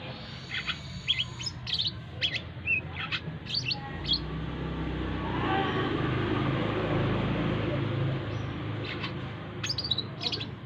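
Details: Brown-throated sunbird (korlap), trained beside a busy road where many people pass so it grows used to crowds; quick bursts of sharp, high chirps in the opening seconds and again at the end, with a passing vehicle's roar between.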